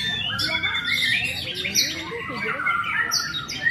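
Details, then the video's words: Prize-winning white-rumped shama delivering its full repertoire: busy, squeaky, chattering phrases and short whistles in quick succession, with faint human voices in the background. "Murai batu Blorok prestasi full materi"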